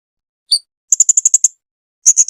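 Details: Serindit, the Blue-crowned hanging parrot, in a 2021 masteran tutor recording: one thin two-toned note, then a fast run of seven shrill clicks, then three fuller high notes, with nothing else audible.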